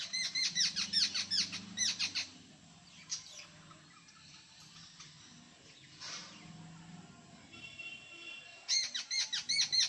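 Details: Jungle babbler, called kekati locally, in the Konkan region of India; bursts of harsh, rapid, squeaky chattering notes at the start and end, separated by a quieter stretch with faint rustling.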